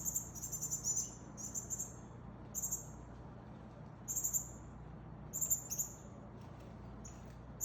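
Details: High, thin calls heard while a male Northern cardinal feeds a fledgling: clustered bursts of sharp, slightly buzzy notes early on, then scattered pairs with short pauses, against a constant low hum.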